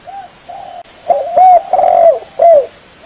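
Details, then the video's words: Spotted dove song used as a lure for trapping birds. Soft, low, mellow coos with rounded, slightly rising-then-falling notes in a short broken phrase. Fainter cooing sounds in between, with a steady faint high hiss in the background. "PIKAT AMPUH SUARA TEKUKUR/TEKUKUR MERDU"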